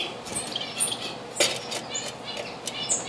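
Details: At a bird bath on 4 June 2013, a diamond firetail gives brief high whistled notes and chips. A sharp splash-like burst sounds in the middle, with faint background hiss.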